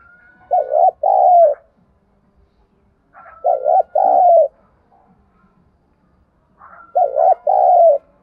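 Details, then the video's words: Lure calling by a decoy spotted dove meant to provoke wild doves: three low double-coo phrases about every three seconds, each a quick wavering note and a longer rolling coo, with silence between. "Tiếng chim cu gáy mồi thúc bổi rất sung"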